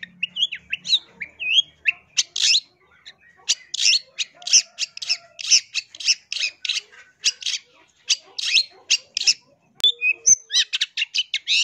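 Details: Long-tailed shrike song used as a lure for trapping wild birds: rapid series of harsh, scratchy notes in short bursts, with a few whistled slurred notes at the start and end, repeated several times per second.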